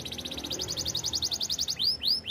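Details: Canary singing a training phrase: a rapid series of short, evenly spaced, pulsing notes ends in two or three loud, rising-then-falling swept whistles.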